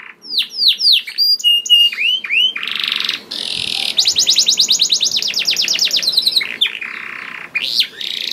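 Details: Lively canary song played to prompt other canaries into singing: a few swooping whistled notes, a brief harsh buzz, then a long, fast, even trill lasting about three seconds, ending with another rasping burst and sweeps.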